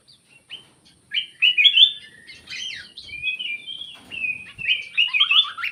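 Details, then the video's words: Lure call of a black-crested bulbul: an almost continuous stream of loud, bubbling, fluty warbles that rise and fall, with a steady faint high hiss behind. "SUARA PIKAT KUTILANG EMAS"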